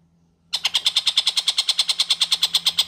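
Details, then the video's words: Long-tailed shrike recorded for tutoring white-rumped shamas: after a brief silence, harsh grating notes start abruptly and repeat rapidly and regularly, roughly seven per second, over a faint low hum. "TENGKEK BUTO Gacor"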